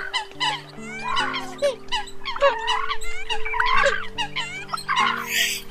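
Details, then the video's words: Eurasian coot calls from a lure recording meant to attract birds: short bent, rising and falling notes in rapid clusters from several birds, over flat steady background tones and a brief noisy hiss at the end. "Tiếng Sâm Cầm Mới Nhất Tháng 10 Năm 2020"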